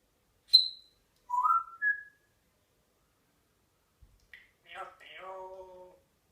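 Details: Pet parrot nearly singing the football chant "championes ole ole ole": a few short whistled rising notes, a pause, then a longer harmonic warbling, chant-like phrase, in a quiet room.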